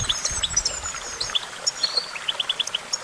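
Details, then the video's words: Goldfinch giving sparse high chirps and a thin drawn-out whistle, then a neat run of five evenly spaced short notes, over light hiss. "Vocal virtuoso: activating enhancing your goldfinch songbird prowess"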